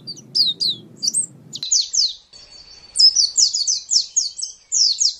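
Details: White-eye song used as a master recording for training kept songbirds: quick high chirping notes in short bursts, then a run of rapid slurred twitters, with a low hum beneath the first part.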